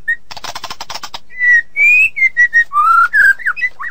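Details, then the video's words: White-rumped shama song for tutoring other songbirds: a fast burst of dry rattling notes, then a string of clear whistles, some flat, some rising or slurred, short phrases roughly every quarter second. "Suara Masteran Burung Murai Batu"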